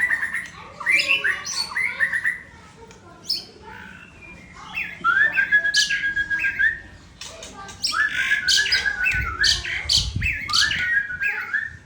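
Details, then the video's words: Aceh white-rumped shama from Sabang singing varied, loud phrases: rich whistles, harsh chattering squawks and a sustained whistled note, in bursts separated by short pauses. "Murai Aceh Balak Ori Sabang"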